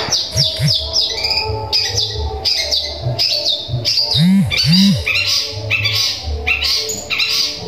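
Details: Long-tailed shrike giving sparrow-like song material, sung to agitate rival shrikes: dense bursts of harsh high chirps and squawky notes in uneven runs, with low arched hooting sounds and a background hum.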